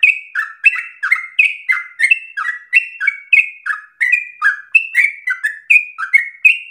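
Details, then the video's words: Yellow-vented bulbul song used as a lure to make other bulbuls sing long, continuous phrases; rapid bubbly whistled notes, each dropping in pitch, chained together at about three per second with no pauses, clean background. "PANCINGAN TERBAIK agar trucukan menjadi gacor ropel nafas panjang"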